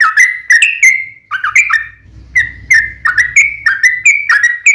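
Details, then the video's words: Sooty-headed bulbul in energetic lure song, meant to make other bulbuls answer at once: bubbly, slurred whistled notes repeated in quick phrases, with a short pause and a faint low rumble midway. "SUARA trucukan gacor RAJA PIKAT tarung ropel panjang"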